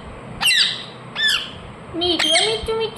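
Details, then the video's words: Two piercing falling squawks from a pet ring-necked parakeet, then a rougher, wavering run of lower, more voice-like chattering sounds mixed with further shrill notes. "Ringneck parrot Chirping sounds"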